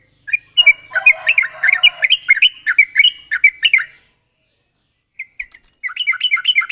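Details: Sooty-headed bulbul singing a sharp, chattering 'gacor ropel' style song used as a lure recording: a rapid run of bubbly, fluty notes for about four seconds, a brief pause, then the quick note series resumes.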